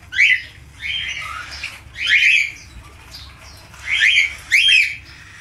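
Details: Budgerigar uttering harsh, buzzy squawks in short bursts about a second apart, separated by quiet pauses in a small room.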